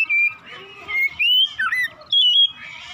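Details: Oriental magpie-robin singing in the morning as a lure to stimulate song: loud whistled notes sliding up and down, a few rapid bursts separated by short pauses, bright and clear.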